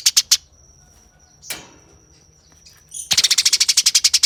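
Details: Eurasian tree sparrow fighting call. A few rough chirps, a quiet gap with one scratchy note, then a long, very fast, evenly spaced volley of harsh chirps, about four per second.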